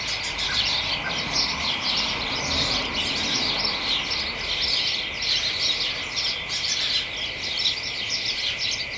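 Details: House sparrows and other small birds chattering excitedly together in a hedge on a late afternoon in early December; a dense, continuous mass of overlapping high chirps and tweets, with a steady tonal hum underneath.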